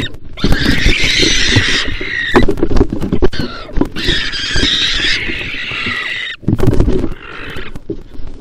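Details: Wild barn owls fighting inside a nest box over territory: long, harsh, raspy screeches and hisses in overlapping bursts of one to two seconds, with thumps and scuffling of the struggle.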